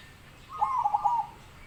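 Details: One rolling zebra dove phrase, a fast stuttering series of soft cooing notes lasting under a second.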